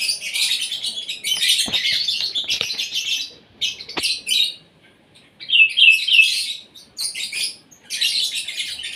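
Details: Asian pied starling during its morning feed, kept singing vigorously: long runs of loud, grating, buzzy chatter in several bursts, with short pauses, sharp clicks and a few squeaky notes between them.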